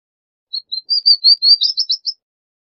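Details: Palestine sunbird song: a quick high series of thin chirps, short notes accelerating into a rapid metallic trill near the end, lasting about one and a half seconds on a clean, quiet background.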